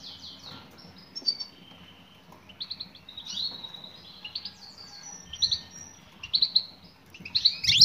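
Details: European goldfinch female calling to a male: scattered high chirps and short slurred notes. The calls grow louder and busier toward the end, over a low steady hum.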